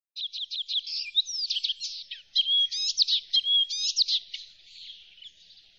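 Icterine warbler singing a fast, varied run of high chattering, whistled and nasal notes, each phrase different, with no pauses and no other sounds.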